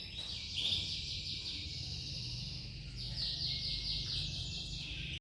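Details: Male giboso canary delivering a sustained high rolling trill that changes tone partway through, over a constant low rumble of background noise.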